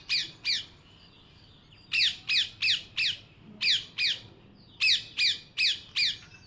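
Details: Parrot giving loud screeching squawks in bursts of two to four, with brief pauses between the groups.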